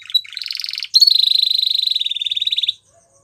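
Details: Spanish Timbrado canary singing: a short run of rapid chattering notes, a brief pause, then a long, even, rolling trill held at one pitch for nearly two seconds.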